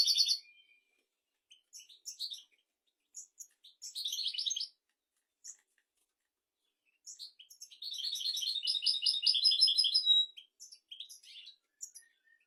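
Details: Song of a European goldfinch for tutoring goldfinches and canaries: scattered liquid twitters and short trilled bursts, then a sustained rolling trill near the middle, finishing with more tinkling high notes.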